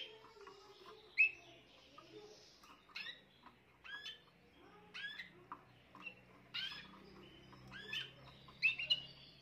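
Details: Young Spanish Timbrado canary hatched this year, recorded 14 June 2023, singing short metallic chirping phrases that rise and fall, separated by brief pauses about every second, with a faint low hum underneath.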